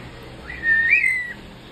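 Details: A pet common myna, coaxed by its owners to whistle, gives one clear, pure whistle of about half a second, mostly level with a brief lift in the middle, over quiet background hiss.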